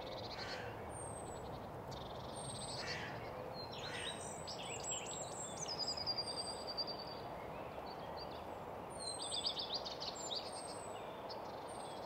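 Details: Common Redstart in song at Nysved, Norra Järvafältet, mono recording: short high phrases mixing thin whistles and rapid jumbled twitters, repeated every few seconds, with many other birds calling, including tits, gulls, warblers and pigeons.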